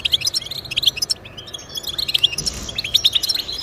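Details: European goldfinch singing, meant to motivate caged goldfinches: bright staccato chirps and quick twittered notes in loose bursts, with a short rasping buzz near the middle.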